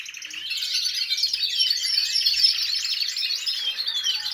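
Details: Several aviary canaries in chorus after their feather moult, before breeding preparations; steady, dense high-pitched warbling with rapid chattering trills and twittering that builds in loudness and continues throughout.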